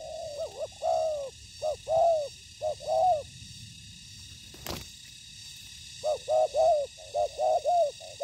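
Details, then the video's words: Ground-trap decoy spotted dove meeting a wild challenger. Bursts of quick, slurred coos, then a silent gap broken by a sharp click, then another run of rapid coos. "Bẫy cu gáy mồi đất : Tuyển tập Mồi cùi bắp gặp Bổi trận của năm"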